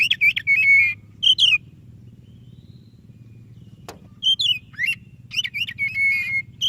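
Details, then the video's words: White-rumped shama singing to set off a quiet shama: whistled phrases, a silence of about two and a half seconds broken by a single click, then a dense run of varied whistles ending in a long level note. "Suara Burung Kacer DADA PUTIHH Gacor cocok untuk Pancingan Kacer yang malas BUNYI."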